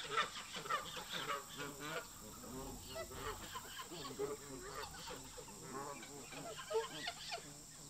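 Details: Resident park geese show tension toward migrating visitors; a crowd of nasal honks overlaps in uneven clusters, some louder close calls standing out against a constant high-pitched hiss.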